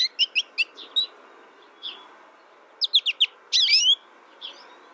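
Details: American goldfinch with a rapid run of high chirps, a few scattered soft notes, then three quick squeaky notes and a louder buzzy, twisting phrase.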